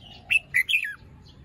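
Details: Morning phrase from a fluffy red-whiskered bulbul still finishing its moult: three quick, bright notes in under a second, the last sliding downward, against a quiet background.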